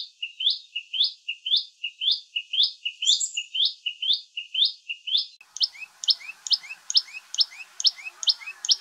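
A Common tailorbird repeats loud, sharp, high-pitched upward-flicking notes, about two per second, with a second burst that is faster and brighter.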